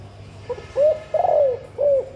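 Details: Female spotted dove calling to stimulate breeding, urging females to lay and males to become eager: three soft low coos, the middle one longer and falling, over faint background hiss.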